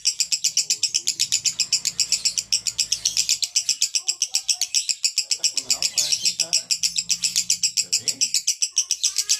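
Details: Konslet-style song of a male lovebird: an unbroken, high-pitched chattering stream of rapid, shrill notes, roughly four per second, with faint human voices murmuring underneath.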